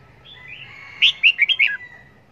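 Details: Red-whiskered bulbul serving as a trap decoy, delivering one warbled phrase of five quick bright notes that step up and down, ending with a falling slur.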